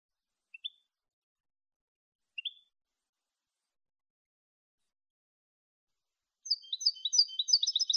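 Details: European goldfinch, clean Malagueño-style song meant for educating goldfinches: two isolated short, sharp rising chirps a couple of seconds apart, then a fast, high jingling twitter begins near the end over silence.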